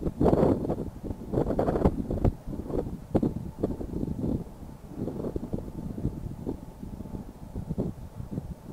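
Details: Gusty wind buffeting the microphone with low rumbling, engine-like noise throughout; no animal calls can be picked out.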